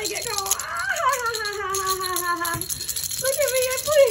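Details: Pet Moluccan cockatoo at home, singing and playing with its toy rattle. It gives long, sliding, harmonic tones that fall gradually, then shorter rising notes, while the rattle shakes and a person speaks nearby.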